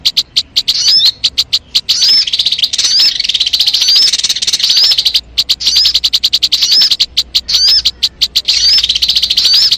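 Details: Crimson sunbird song played to lure birds: rapid bursts of high, thin chirps and trilled notes, with short sharp upward-sweeping whistles, in dense runs broken by brief gaps.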